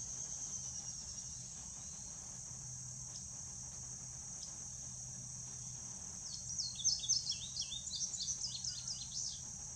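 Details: Male indigo bunting singing: after six seconds of steady high insect drone, a quick series of high, paired, slurred notes dropping and rising, partly blending with the constant insect hum.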